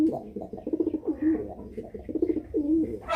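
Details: Angry pigeon cooing in a small room: a steady run of low, throaty, rolling coos with short pulsed notes between them, forming a continuous grumbling sequence with no other clear sounds.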